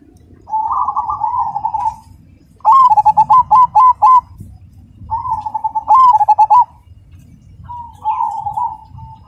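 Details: Cemani zebra dove, a kept songbird, sings a loud, clear rhythmic phrase: a trilled coo near mid pitch, then bursts of rapid staccato notes, repeated in several bouts with brief pauses between.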